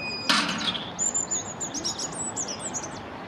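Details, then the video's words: European robin in a corkscrew hazel bush near the Albert Memorial. A sharp knock opens the clip, then a very high, sweet song phrase of quick wavering notes over constant low background rumble. "Robin singing in corkscrew hazel"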